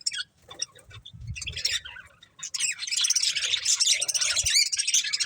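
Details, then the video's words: Budgerigars eating corn start with scattered chirps that swell into a continuous, dense warbling chatter, along with low knocking from pecking. "Cute Budgies Enjoying Eating Corn | Love Birds Chirping Sounds"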